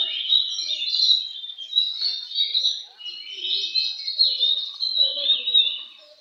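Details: Oriental magpie-robin at a singing contest, giving a steady, busy flow of high, fluty and scratchy warbled notes in pulsing bursts, with faint lower chirps and murmurs behind it.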